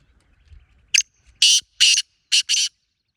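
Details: Wild black francolin giving one harsh, grating five-note phrase: a short scratchy opening note, then two longer rasping notes and a closing pair, all on a quiet background.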